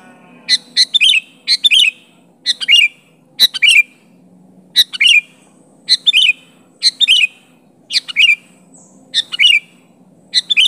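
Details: Sooty-headed bulbul issuing challenge calls at an opponent, recorded as a pure call without other songs mixed in: evenly spaced paired chirps with a downward slur, about one phrase per second, faint background hum.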